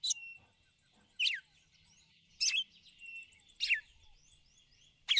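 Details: A female red-cowled cardinal calls repeatedly to excite the male, giving five sharp, slightly downslurred chips roughly every 1.2 seconds. Faint thin whistles and twitters run underneath.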